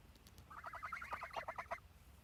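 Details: Rapid run of nasal, slightly wavering honks from three pet geese, the notes tumbling over one another for just over a second against a soft low hum.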